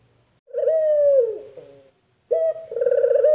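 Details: Spotted dove, known locally as puter, cooing: a low, steady hooting phrase that falls at its end, a brief pause, then another phrase opening with a short note and swelling into a trembling coo.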